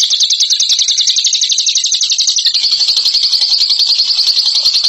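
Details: Champion ngekek bird delivering an unbroken, high-pitched chattering trill of rapid repeated notes, nearly four per second. The notes stay steady and piercing throughout, with a slight shift in tone midway.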